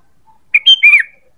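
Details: ['Luring call of a sooty-headed bulbul: one quick whistled phrase, a short note, a higher held note and a descending slurred ending.']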